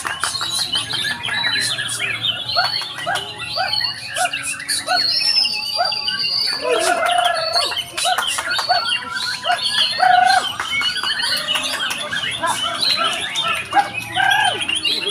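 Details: Several white-rumped shamas sing at once at a practice singing contest, in rich, varied whistled phrases, fluty slurs and quick chattering notes, with other birds and faint voices mixed in.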